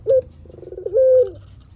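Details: Long-voiced spotted dove used as a lure call: one short bright note, a quick rattle of pulses, then a single held coo falling away.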